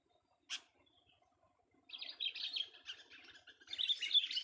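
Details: Young sooty-headed bulbul singing during a vocal test: one sharp chirp, a pause, then a rapid run of jumbled, chattering twitters that grows louder toward the close.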